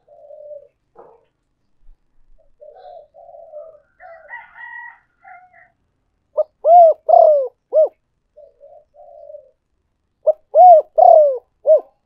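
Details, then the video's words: Spotted dove decoy recording: faint low chatter and a brief higher twittering come first, then two loud phrases about four seconds apart. Each phrase has a clipped opening note, rounded coos, a longer falling croo and a short closing coo. "cu gay moi chuan mp3"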